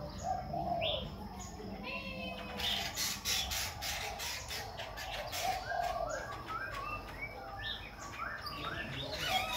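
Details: Khe Sanh laughingthrush singing while dancing, switching its voice continuously: short whistled and upslurred notes scattered through the clip, mixed with rapid clicks and flutter sounds in the middle, with a low background hum.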